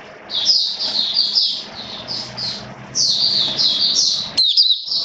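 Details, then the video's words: Oriental white-eye in a cage, hobby bird on a rainy-weather diet, 29 September 2022: a soft, run-on high warble of blurred notes that swells louder midway and ends in a crisp chirp. "Mata Puteh Buka Sing Raja"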